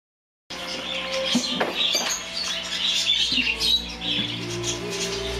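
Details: Japanese Hagoromo (frilled) budgerigars at a bird shop chatter in a busy, warbling stream of high chirps and squeaks over a steady tonal background.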